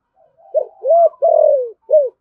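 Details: Spotted dove with 'thổ sấm' voice: a quiet lead-in then a short coo, an arched mellow coo, a long drawn falling coo and a final short arched coo.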